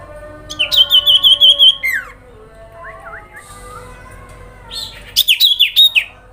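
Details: Common iora grincingan lure call for stirring other ioras to answer: two quivering high trills of about a second, the first dropping into a downward slur, with a few soft whistled notes in the gap between them.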